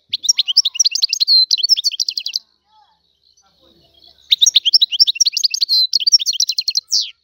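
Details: Two long phrases of bright, rapid twittering from a free Algerian goldfinch, rich in buzzy and whistled chirps, separated by about two seconds of near silence.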